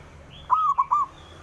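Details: A single phrase from a local male zebra dove calling to rivals: three mellow, slightly arched coo notes in quick succession, the first longest, with a faint thin chirp from another bird just before.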